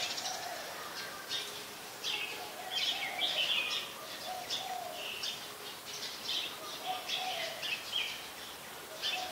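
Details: Brown-throated sunbird in Ubon Ratchathani, Thailand, mid-January 2021: a run of buzzy, high twittering phrases in quick clusters, with soft lower whistled notes from other birds underneath.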